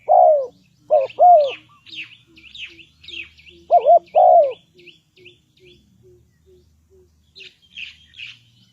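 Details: Spotted dove used as a lure bird for trapping, giving low hooting coos in paired bursts, a doubled wavering note followed by a longer falling one, twice, with high chirps from other small birds between and after.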